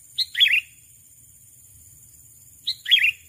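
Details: Sooty-headed bulbul call used to attract a rival bird: two bubbly, warbling phrases about 2.5 seconds apart, each opening with a short high note and running into a quick liquid twitter, with quiet low background hum.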